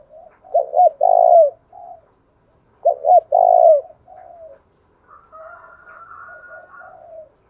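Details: Cooing of a spotted dove, used to provoke rival males, heard in two loud phrases. Each phrase has paired short coos, a long falling note and a soft trailing coo. Faint higher bird chatter follows.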